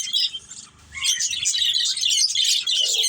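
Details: A family of pet budgies calling at once, a busy mix of high chirps and twittering warbles that swells after a quieter first second and stays thick to the end.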